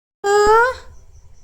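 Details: A pet parrot being taught to talk gives a single half-second call, a clear, slightly rising tone with a nasal, harmonic-rich edge, in a quiet room.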